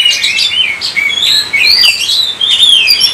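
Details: Kacer, the Oriental magpie-robin, singing non-stop in 'gacor' style as a lure for other birds: fast chirps open into long, sweeping whistles that rise and fall, with no other sounds.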